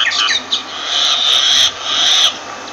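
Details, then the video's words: Myna calling with two long, harsh, rasping notes, each held under a second, after a brief burst of scratchy notes at the start, with a steady low hiss throughout. "Myna Bird sound Voice"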